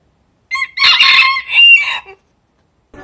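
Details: Rooster giving a short, shrill, high-pitched crow in a few broken bursts, rasping and strained, ending abruptly, followed by near silence and a faint low noise at the very end.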